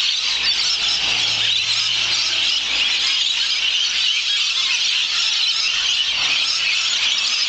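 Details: Hundreds of lorikeets arriving to roost in trees in Maryborough, Queensland, around 5.30pm: a dense, unbroken din of shrill, screeching, overlapping calls with no pauses.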